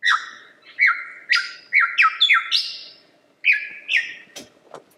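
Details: Lyrebird singing: loud, rich slurred notes, each sweeping down then levelling, in bursts of two to four with short pauses, the last ones pitched higher; a faint low hum underneath.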